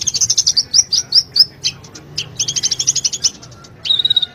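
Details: Sunbird song used to stir a silent caged sunbird into song: long series of quick, piercing high chirps in rhythmic runs, a pause, then a sustained thin buzzy trill at the end.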